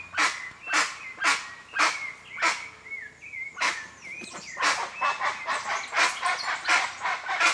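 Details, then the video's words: Guan in the wild, recorded in nature: harsh honking squawks repeated roughly twice a second, broken midway by clear whistled notes from another bird, then a faster, denser burst of squawks. "O CANTO DO JACU"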